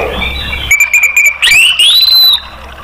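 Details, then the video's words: Orange-headed thrush song used to coax caged birds into singing: a brief soft note, then loud clear whistles that slide upward into a long rising whistled phrase, over a faint low hum. "TERAPI ANIS MERAH bikin ikut NGEPLONG ¦ PANCINGAN AM"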